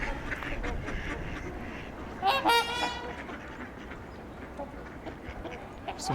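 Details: At LaSalle Park, Burlington, Ontario, in March 2021, among a noisy wintering flock of trumpeter swans at feeders, a single brief, nasal mallard quack with a harsh, buzzy ring breaks in midway over a steady murmur and faint voices.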